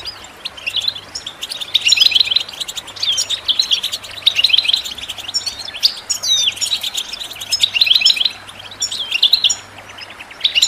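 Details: European goldfinch singing, recorded for listening and training birds: bursts of rapid buzzy, rattling twitters repeated every second or two between brief pauses, mixed with thin high chirps over a low steady hum.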